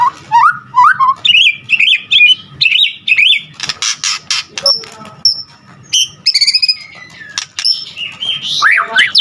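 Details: White-rumped shama in full song: rising and falling whistled phrases repeated quickly, then a noisy burst and scattered high whistles and clicks.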